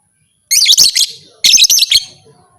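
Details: Lovebird call said to provoke other lovebirds into fighting; two loud bursts of harsh, rapid, high chattering notes, each about half a second long, separated by a short pause.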